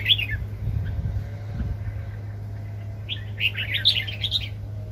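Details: A red-whiskered bulbul used as a trapping lure, 2020, gives a short burst of bright, bubbly warbled notes at the start, then a longer lively phrase of chirpy whistles, over a steady low hum.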